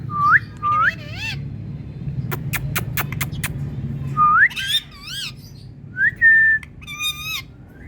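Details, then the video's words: Indian parrot giving harsh, rising whistled calls, some wavering and paired, broken by a quick run of five sharp taps, over a low background hum. "Indian Parrot Calling"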